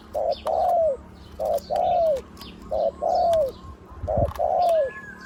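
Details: Big-voiced spotted dove decoy bird of the one-kuk, ku-ang style repeats a short low coo then a longer downslurred coo four times in a regular rhythm, with light twittering of other birds and a brief thump.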